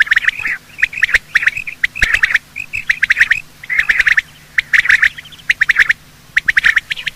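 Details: Quail, male and female, calling in the morning for use in hunting: rhythmic bursts of harsh chattering about every half second to second, separated by short silences.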